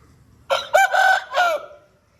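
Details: A long-tailed Aseel rooster gives one short crow of about a second, a harsh rising note that breaks into a held, then falling, cry.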